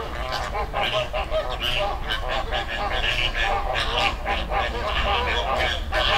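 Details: Flamingo flock on a river in the Dominican Republic. Loud honking, goose-like calls overlap in a busy chorus of nasal clucks and brief higher yelps, with low rumbling noise underneath.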